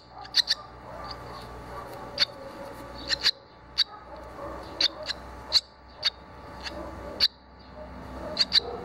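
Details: Barn swallow young at the nest as they begin leaving it; two chicks already out, one flew and soon returned. Short sharp high chirps, singly or in quick pairs, every second or so over a faint steady hum.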